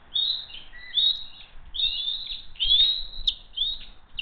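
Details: Bald eagles of the Hays family call as they come in for dinner on June 22, 2023, giving bright, strident whistled chirps in five or six bursts, some long and wavering, over faint background noise.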